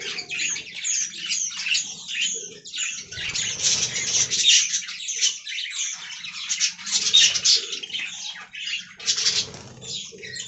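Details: A colony of budgerigars in an aviary gives nonstop overlapping warbles, squeaks and sharp chirps, bright and high, swelling and fading in uneven waves, with faint low background noise underneath.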